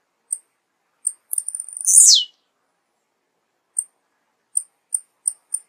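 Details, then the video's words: Blue-black grassquit: a pair of high ticks leads into a jittery run and a brief shrill buzz that slides down. A string of evenly spaced high ticks follows, speeding up toward the end. "Canto do TIZIU"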